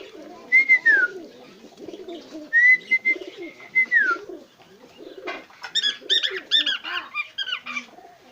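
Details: A singing cockatiel gives a clear whistle that holds level and then slides down, followed by a longer level whistle that also drops at the end, then quick high chattering notes, over a steady background of soft low cooing.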